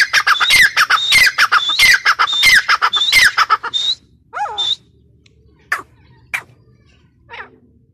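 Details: Grey partridge calling in a loud, quick sequence of scratchy notes, each carrying a clear whistle, for about four seconds, followed by a few scattered softer notes and a descending chirp.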